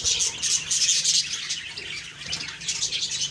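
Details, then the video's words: On a morning of October 2, 2023, budgies keep up quick, overlapping chirps and scratchy squeaks, pulsing in short bursts over a faint low hum. "Beautiful morning birds chirping sounds/Budgie sounds"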